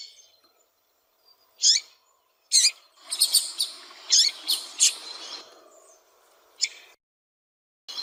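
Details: Insistent calls of a female double-collared seedeater, used to rouse a cold male into singing. Isolated high chirps give way to a quick, busy cluster of bright notes, then spaced single chirps with silences between.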